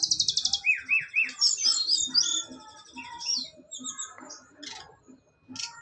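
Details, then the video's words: Brown-chested jungle flycatcher, a Bali native kept as a cage bird, singing persistently during a mental test: an opening rapid buzzy rattle, three rising whistled notes, then a tangled high warble fading into soft notes. "TES MENTAL BURUNG SIKATAN RIMBA DADA COKLAT,ngotot pool"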